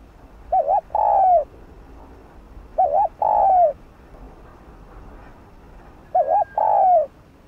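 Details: Gù cooing of a spotted dove, played to stimulate caged birds: three clear low phrases, each a quick wavering double note followed by a longer slurred coo, about every two and a half seconds.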